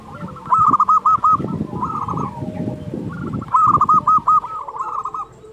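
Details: Local zebra dove song used as a master recording to train doves slow to sing: two loud bursts of rapid, clipped cooing notes in quick series, with softer overlapping cooing from other doves behind.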